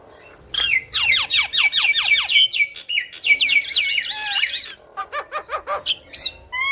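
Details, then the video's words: Black-winged myna, yellow-eyed, singing energetically while bobbing its head: rapid harsh descending squawks in quick succession, then chattering phrases and a run of short stuttering notes with high whistles. "Jalak Kebo Mata Kuning Gacor Manggut Manggut"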